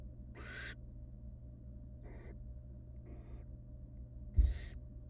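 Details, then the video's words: Barn owl chicks, wild, in a nest box, hiss for food as the female parent tears rabbit into tiny pieces; four rasping, noisy bursts, the first and last loudest, with a dull thump near the end. "Female barn owl feeds her nestlings tiny pieces for over 20 Minute."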